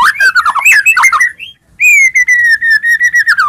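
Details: Murai batu, the white-rumped shama, singing to provoke rivals into song: a cluster of wavering, slurred whistles, brief pause, then a steady string of clear repeated whistled notes.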